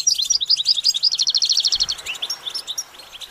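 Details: Goldfinch song in a training recording: a quick run of repeated high chirping notes, almost three per second, sliding down slightly, then trailing into softer scattered twitters.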